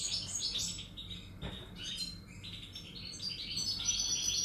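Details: European goldfinch, recorded 1 July 2018, singing a rapid jumble of high twittering and tinkling notes with short buzzy trills, fairly quiet against a low background hum and a brief knock midway.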